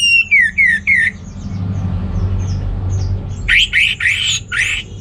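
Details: Orange-headed thrush singing to stimulate males lacking breeding drive: a few clear whistled notes slurring downward, a pause over low background rumble, then a run of harsher, richer repeated phrases.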